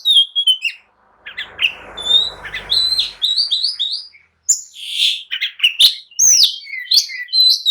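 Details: Oriental magpie-robin in excited song meant to provoke others to answer and fight, mixing clear slurred whistles, chirps and harsh notes, with a soft rushing noise in the background early on.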